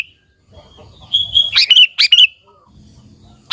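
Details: Sooty-headed bulbul in full song, a lure recording meant to provoke other bulbuls into singing: a thin steady whistle, then a burst of loud, bubbly, chirping notes before a short pause and a final sharp note.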